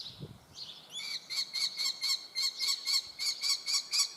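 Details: Young common kestrel: after a soft wheeze, a fast, regular chatter of sharp, ringing squeals begins, about four notes per second, loud and continuous to the end.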